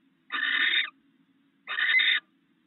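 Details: Barn owl at a nest during a shared meal of rats, brought in at night by the male. Two harsh, hissing screeches about half a second long, spaced roughly a second apart, with a faint steady hum beneath.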